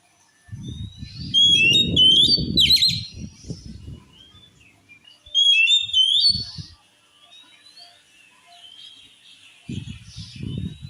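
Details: Oriental magpie-robin song said to drive other males into a fighting rage: bright whistled phrases and sharp chips in two bursts, alongside loud low rumbling handling noise, then softer warbling.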